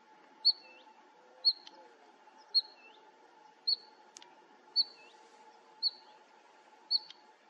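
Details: At Fokstumyr nature reserve in 2021, a Bluethroat gives a steady series of seven high, ringing single notes, each with a soft lower tail, roughly one per second, above a continuous low drone.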